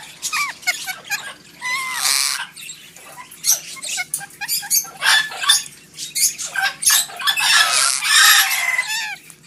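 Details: Talking parrots in a pet store in Livonia, Michigan: loud, busy mix of sharp squawks, rising whistles and rapid chattering bursts from several birds, some overlapping, with no quiet stretch longer than a moment.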